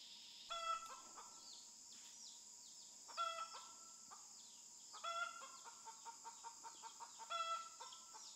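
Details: Wild chickens: chicks caught in a forest flock and kept in a knitted cage to acclimate before taming. Harmonic, crowing-like calls come about every two seconds, with short rapid clucks in between, over a steady high insect drone.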